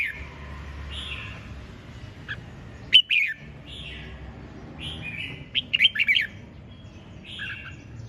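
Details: Red-whiskered bulbul delivering lively ché chẻ song: buzzy drawn notes interspersed with two loud bursts of rapid, bouncing whistled notes, the second a chattering cluster of four or five notes.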